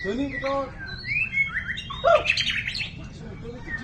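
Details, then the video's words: Champion-class white-rumped shama singing hard: a rapid, varied run of clear whistles, slides and harsh chattering notes packed closely together, over a steady low rumbling background noise. "Burung Kecil, Suara Sadis! Ini Dia Murai Batu Jawara Semua Kelas"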